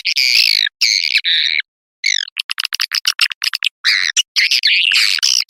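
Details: Swiftlet lure call of the Putri Serayi type, played to draw edible-nest swiftlets into nesting buildings. Long buzzy chirps alternate with a quick, clicking series of short pulses, and then the sustained twittering resumes.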